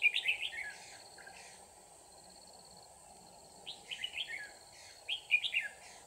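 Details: Red-whiskered bulbul acting as a decoy bird in a trap, recorded 24 December 2018: bright, warbling phrases of quick rising and falling whistled notes in short bursts near the start, at about four seconds and at five seconds, with faint high insect buzzing throughout.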